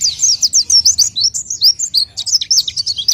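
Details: Short burst of pelci song from an orange-headed thrush: crowded high looping whistles and chirps delivered rapidly with barely any gaps, faint hum below.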